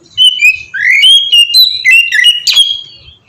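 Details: Oriental magpie-robin (kacer) in ngeplong song, played to stir other birds into singing: clear, sweet whistles rising and falling, strung into a rapid phrase with one harsh burst near the end.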